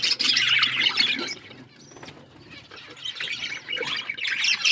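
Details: Budgerigars chirping in bursts of squeaky, rapid chatter, a quieter gap in the middle before the warbling resumes.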